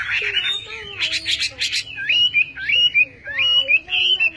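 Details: Chinese hwamei song with loud rich whistles, a burst of harsh buzzy notes, then a string of wavering, rising and falling whistled phrases repeated at a brisk pace.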